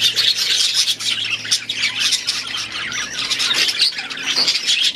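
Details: Loud, continuous high chatter of aviary budgerigars, full of harsh squawks and quick whistled chirps from many overlapping birds.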